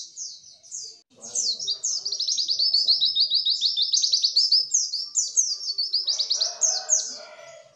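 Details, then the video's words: Continuous white-eye song for coaxing lazy caged birds into singing and copying: a long, unbroken flow of very fast, high, slurred chirps and twitters, with some soft low background murmur toward the end. "pancingan pleci malas bunyi"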